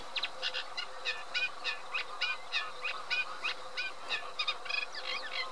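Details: Eurasian reed warbler song, a steady run of harsh, churring, chattering notes delivered in quick repeated pairs and triplets, some slightly whistled, with a faint high hum in the background.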